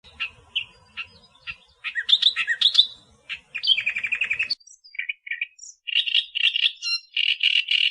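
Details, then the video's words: Australian reed warbler singing: scattered chips, loud squeaky slurs, a rapid stuttering trill, then after a short gap a series of repeated harsh churring phrases with even spacing. "Burung Kerak Basi Australia Suara Asli Kicauan Alam"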